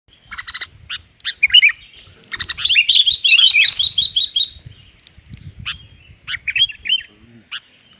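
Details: Sooty-headed bulbul lure call used to attract birds for trapping: bursts of bright, chattering chirps, then a rapid run of short, repeated notes in the middle, followed by scattered quick phrases with brief pauses.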